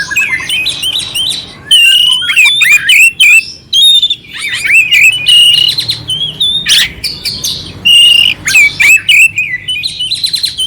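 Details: Loud, clear song of an oriental magpie-robin with rough fill notes, used to raise the mood of a quiet bird. Fast runs of sharp whistles, buzzy rasps and up-and-down slurs, in phrases broken by short gaps.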